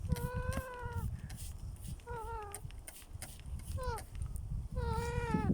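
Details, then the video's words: A young pet parrot in an aviary gives gentle baby calls: four drawn-out, nasal, harmonic wails, some level and some sliding downward, spaced about a second apart over a low rumbling background. "Baby Parrot Making Adorable Sounds in the Aviary"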